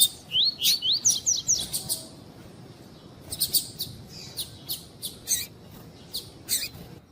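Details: Lined seedeater in the tuí-tuí style, a male kept for tournaments, with a female calling: high sweeping whistles for two seconds, then sharp, dry, clicking chips repeated at irregular intervals over a quiet background.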